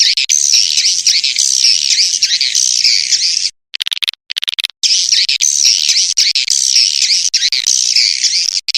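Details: Edible-nest swiftlet calls used as a lure to attract swiftlets: dense, continuous high twittering and chirping, broken by a short gap of clipped choppy notes midway, then resuming.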